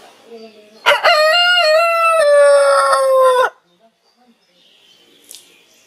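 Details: Rooster's morning crow, very clean: a few quiet notes, then a bright, rich crow of about 2.5 seconds, slightly rising and then sagging in pitch, with near silence afterward.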